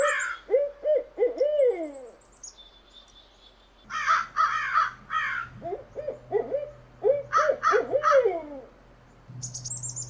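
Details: Owl calls used as a lure to attract birds: bursts of short hollow hoots, some sliding downward, alternating with harsh broadband chatter and a thin high whistle near the end.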